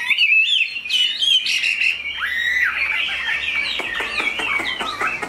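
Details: Chinese hwamei, a tame caged bird with a strong voice, pours out warbling whistled phrases that slide and twist, ending in a series of short sharp notes with ticking.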